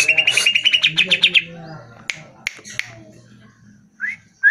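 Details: Greater green leafbird song, a lure recording to make caged birds answer and sing: a fast run of bright, evenly repeated chirping notes for over a second, then scattered soft clicks and two short rising whistles.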